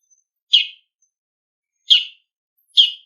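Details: Autumn ground calls of a wild bull-headed shrike: three loud, rasping notes with a downward slur, spaced about a second apart against a silent background.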